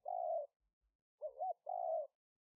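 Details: Live decoy recording of a spotted dove from Roi Et province, Thailand, 2021, meant to attract wild doves: a long steady coo, a pause, then a quick two-part warbled coo and another long coo.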